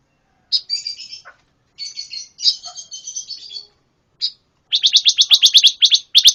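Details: Buzzy, warbled phrases from a pancawarna, followed by a single chip, then a rapid rattling trill of high notes near the end.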